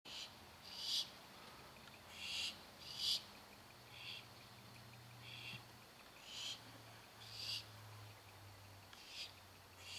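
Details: Barn owl babies waiting for their dinner: soft breathy hissing screeches, each about half a second, at irregular intervals, with a low hum underneath.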